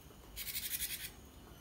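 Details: Cinereous tit (gelatik batu) used as a master song for cage birds. A single short run of quick, buzzy repeated notes, about seven in under a second, against faint background noise.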